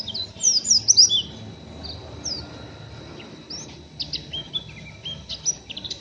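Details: Rough chattering of a young, still-untrained oriental white-eye: a quick cluster of sharp, high, slurred chirps, a pause, then scattered thin chips and short twitters at an irregular, fairly fast pace against low background noise.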